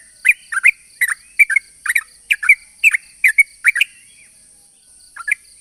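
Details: Lively yellow-vented bulbul lure song: paired bubbly chirps repeated about every half second for four seconds, a short pause, then one last chirp, with a steady high-pitched hum.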